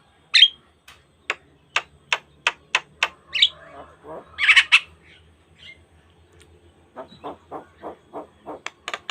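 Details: Asian pied starling song used as a training lure for other starlings: sharp clicks and harsh rasping notes in quick series, broken by a loud squeaky burst and a run of short nasal notes.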